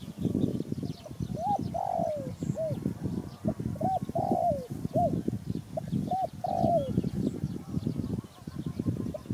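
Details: Spotted dove calling a mellow coo phrase three times: two or three brief rising-falling notes, then a drawn-out descending coo, over heavy low rumbling noise throughout.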